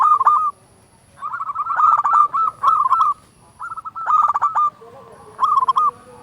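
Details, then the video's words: Zebra dove of a local strain singing loudly, used to raise arousal and coax other doves into song: a run of choppy, rolling coo phrases back to back, with brief gaps and a steady thin high tone behind. "Perkutut lokal gacor SUARA BESAR pancingan burung perkutut agar bunyi"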